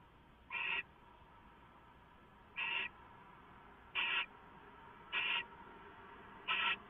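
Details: Owl getting leftovers, recorded by live camera at 6:04 AM, 15 March 2014: five short harsh screeching hisses, each about a quarter second, spaced roughly one to two seconds apart.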